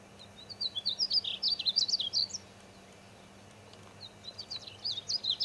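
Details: In Oklahoma's Wichita Mountains a painted bunting sings two hurried phrases of high, sweet, tumbling notes separated by a pause of about two seconds, with a faint background hum.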